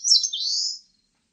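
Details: Eastern crowned warbler, recorded in 2020 for Korea's National Institute of Biological Resources: one high, thin phrase that starts with a sharp note and slides into a drawn-out, slightly rising buzzy whistle lasting under a second, with a quiet background.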